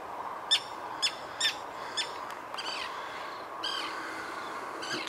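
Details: Common terns (Sterna hirundo) dive-bomb a passer-by in frenzied activity near their colony, apparently after losing a chick, giving short, harsh, grating alarm calls about half a second apart over a steady background hiss.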